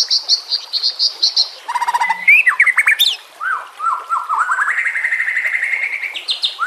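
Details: For training songbirds, a White-rumped shama sings 'nembak kasar' style: a row of high pulsed notes, a buzzy burst, steep swoops, then a long stepped whistle climbing steadily higher.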